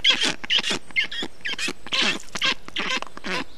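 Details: Estonian black stork chicks being cooled by a parent with water, moss and wet grass, 20 June 2021; wheezy, nasal calls come in uneven bursts, some rising then falling, about two per second.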